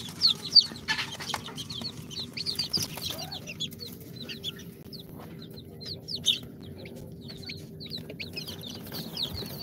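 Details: Incubator-hatched chicks on their second day, a mix of Sultan, Golden Sebright, Cochin and booted breeds, chirp in quick high descending peeps, roughly three per second from a group, with a constant low electrical hum in the background.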